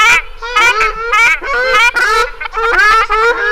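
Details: Ruddy shelduck giving loud nasal, honking calls in quick bursts. The calls are rich and trumpet-like, and some are drawn out and slightly rising, with almost no pause between them.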